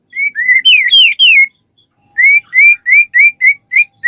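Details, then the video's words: A white-rumped shama pours out song to make other shamas join in: several long sweeping whistles, a short silence, then a regular row of brief upslurred whistles about four per second. "suara burung murai batu gacor sangat cocok buat pancingan murai batu agar cepat bunyi ikut gacor"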